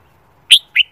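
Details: Red-whiskered bulbul, trained for singing competition, morning song: two quick bright whistled notes, the first louder and higher, the second falling away.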